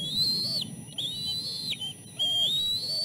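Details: Nest chicks at feeding time, three siblings competing for fish. Two long whistled notes climbing slowly then dropping off sharply, followed by a third rising whistle, over a low hum.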